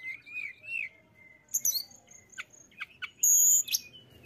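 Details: Mountain tailorbird in vigorous song meant to rouse rival birds: soft wavering mid-pitched whistles give way to sharp high chips and a long, steady, piercing high whistle near the end.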